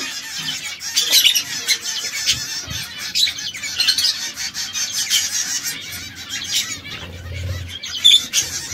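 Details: Pet canaries, three birds coloured red, yellow and brown, sometimes squabbling. High, tinny tweets and squawky notes come repeatedly over a steady background hiss.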